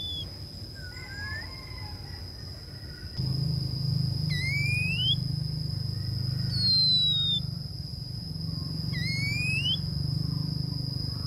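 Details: Female Oriental magpie-robin calling to lure males: a few thin whistled notes, some rising sharply and one sliding down, spaced a few seconds apart over a steady high electronic tone and low rumbling hum.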